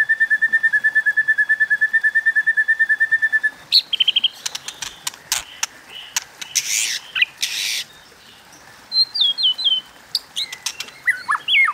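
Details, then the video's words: White-rumped shama in competitive singing in the kéo thuốc lào style: a fast, even run of identical notes for over three seconds, then sharp clicks, noisy bursts and scattered whistled slurs. "Tiếng Kích Chòe Lửa Hót Đấu Kéo Thuốc Lào"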